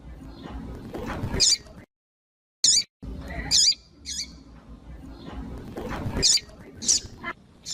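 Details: Female double-collared seedeater calls for warming up a cold male: a few sharp high chirps, some paired with a lower note, spaced irregularly, broken by a brief silence, over faint low background noise.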